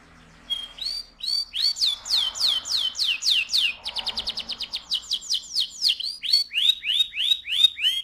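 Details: Loud rolling song of an AF canary: fast, steady series of high sweeping whistled notes, about three per second, running continuously for several seconds.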